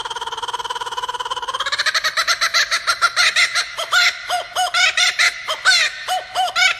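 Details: A male laughing kookaburra from Australia starts with a low rapid chuckle that builds into loud, hooting, cackling laughter, rising and falling in rapid repeated bursts.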